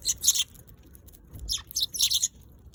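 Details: Eurasian tree sparrow uttering clipped, high chirps in two short clusters separated by a quiet gap, with a faint low knock in between.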